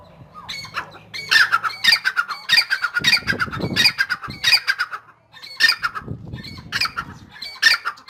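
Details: Calling energetically, a grey francolin, or dakhni teetar, delivers harsh, rasping bursts in quick succession, a brief pause halfway, then the strident phrases resume, over low background rumble.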